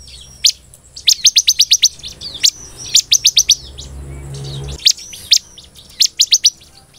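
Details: Bar-winged Prinia (ciblek) singing vigorously in the 'nembak belalang emas' style. Short bursts of very high, sharp, clipped notes, rattled off five or six at a time, with single isolated chips between the bursts.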